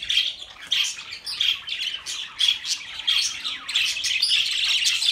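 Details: Budgerigar chirping, sounds for lonely pet birds: loud scratchy squawks and chirps in quick uneven bursts, roughly one and a half per second, with a steady warbling chatter behind.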